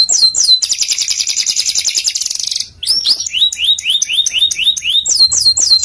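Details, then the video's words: Singing canary for masteran training: a long rapid buzzy trill, a short break, then a series of rising-falling whistled notes repeated about every third of a second. "MASTERAN KENARI | CANARY SINGING"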